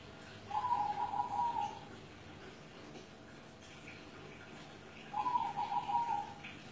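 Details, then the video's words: Zebra dove, a caged bird over seven years old in Kudus, giving two rolling coo phrases about four to five seconds apart, each a quick beaded run of soft notes; a faint hum fills the pauses. "SUARA PERKUTUT GULING MURIO"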